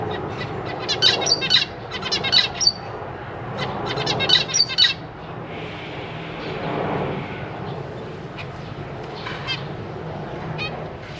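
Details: Zebra finch parents feeding their chicks in a cage, May 2023, with juveniles practising flight: chattering bursts of short nasal calls for about five seconds, then quieter, sparse notes over background rustle.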